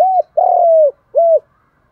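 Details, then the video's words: Spotted dove coo in the 'đồng thổ' style, used as a lure call to provoke fighting and bring wild doves in; the end of one coo, then a long steady falling coo and a shorter arched closing note. "cu gáy giọng đồng thổ thúc đấu + Gáy gọi chuẩn để kích bổi nhanh về"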